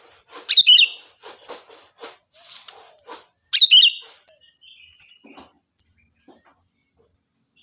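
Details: Sooty-headed bulbul, loud and shrill, recorded as master song for training birds: two sharp bubbly phrases three seconds apart, then a rapid pulsing insect-like trill continuing to the end.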